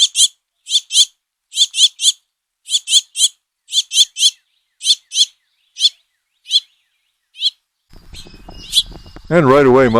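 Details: House finch fledglings begging for food from the father: rapid buzzy paired chips for about eight seconds, then a burst of noise and a low wavering tone at the end.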